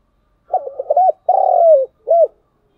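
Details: Decoy spotted dove with a fine voice, cooing to attract wild doves. A single phrase of soft, hollow notes: a stuttering lead-in, then a rounded note, a long vibrating coo falling at its end, and one short closing note.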